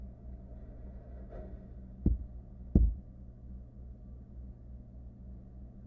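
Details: Quiet room hum with two sharp, loud knocks about a second apart; no animal calls are heard.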